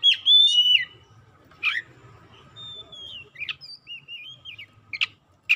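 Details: Oriental magpie-robin lure song meant to make silent birds sing. A loud, clear whistled phrase starts it, then scattered harsh chips and a long descending whistle, a wavy warbled run, and more sharp notes, over a faint hum.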